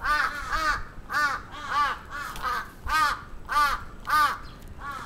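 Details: Crow on the attack in Sapporo's Atsubetsu Ward, June 2017: a steady string of loud, hoarse, arched caws, often in close pairs, roughly two per second, with little other sound.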